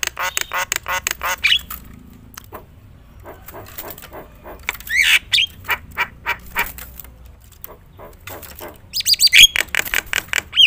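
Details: Javan myna, jalak kebo, singing loudly in a full, varied gacor style meant to provoke other mynas into singing: bursts of harsh repeated squawky notes with sharp whistled accents, in three loud bouts separated by quieter stretches.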